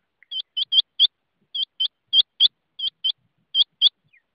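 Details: Rain quail calling in brisk doubled notes, high and ringing, about six pairs packed into four seconds with an even rhythm over a silent background.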